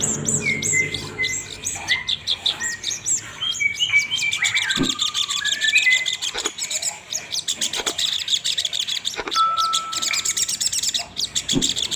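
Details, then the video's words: Olive-backed sunbird (sogon ontong) in lively, chattering song: rapid high chirps and thin twittering notes mixed with short level whistles, with other birds chirping nearby. "Suara Sogon ontong gacor ngobra"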